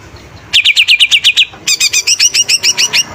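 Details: Greater green leafbird singing hard, meant to provoke other songbirds: a steady series of rapid descending whistled notes followed by a quicker train of bright, sharply modulated chirps.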